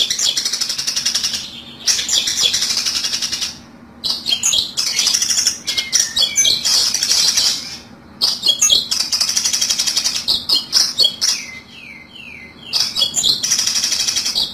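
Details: Long-tailed shrike recording used as a trapping lure, with bursts of rapid, harsh, scratchy chattering notes broken by short pauses, plus a few quick descending whistled notes near the end.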